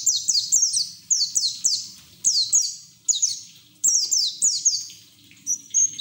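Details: Ngeriwik song from a white-eye, used as a lure to make untrained birds sing quickly: dense rapid sequences of sharp, falling high whistles, nearly continuous with brief breaks, ending in a thin sustained note.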